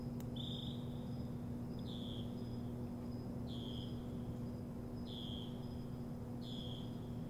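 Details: Morning bird song: a short, high, flat whistled note repeated about every one and a half seconds, quiet and distant over a steady low hum.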